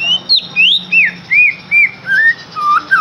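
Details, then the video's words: White-rumped shama song used as a lure to stimulate captive birds to sing: a series of clear, slurred whistles, each sweeping up or down, given about every third of a second and gradually dropping lower in pitch. "KICAUAN UNIK Cocok untuk pancingan murai batu AGAR LANGSUNG GACOR dan NGEPLONG"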